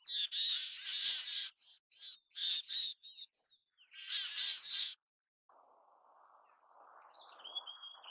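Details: Mountain chickadee: several harsh, buzzy notes in quick bursts over about five seconds, followed by a low, steady rushing background with faint high thin notes.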